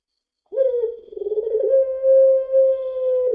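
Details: Puter pelung dove cooing as a lure: a short opening note, a quavering warble, then a long, even, clear tone that swells and holds steadily.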